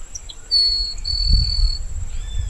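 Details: A grassland sparrow in open cerrado grassland savannah of Barba Azul Nature Reserve, Bolivia, in late April at the end of the rainy season, sings: faint high introductory notes into a long, thin, level buzzy whistle, over insect drone and wind.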